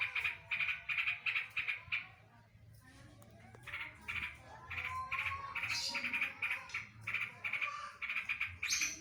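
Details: Yellow-vented bulbul singing mimicked green leafbird bursts: quick rattled note groups, a brief quieter pause with a few whistled slides, then renewed rapid chattering runs ending in high squeaky notes.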